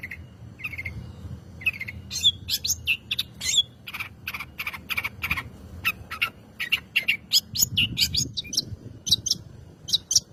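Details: Gacor cendet, the long-tailed shrike, singing as a lure recording to make other birds sing: a busy run of clipped high chirps, harsh squawky notes and whistles, quickening and thickening halfway through.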